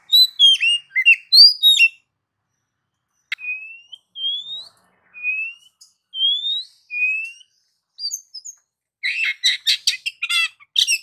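Oriental magpie-robin singing a varied song of clear rising whistles, interspersed with rapid chattering and scratchy bursts at the start and end.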